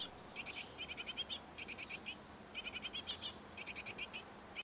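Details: Great tits nesting in a garden nest box; clusters of fast, thin high chirps in groups of about five, with short quiet gaps between groups.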